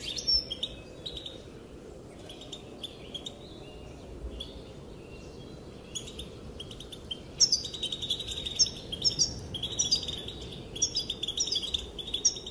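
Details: Female goldfinch giving calls that make the males dance; a few sparse high chirps at first, then a livelier run of rapid twittering and tinkling notes after a pause, over steady low hiss.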